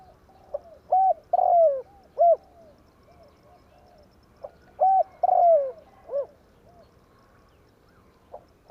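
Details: Trapping lure call of a spotted dove, tarik akar type: two phrases, each a soft lead-in, a quick double coo, then a long falling coo and a clipped final note, separated by quiet pauses.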